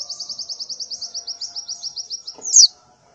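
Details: Morning calling of a female white-eye in breeding condition, inviting males: a steady train of soft, even high chirps about eight per second, ending in one loud sharp downslurred note.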